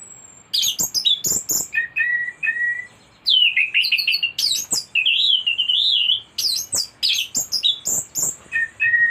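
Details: A thrush sings almost without pause, mixing high squeaky slurs, warbled wavering whistles and short sweet whistled notes into a varied, rambling stream packed with imitated phrases.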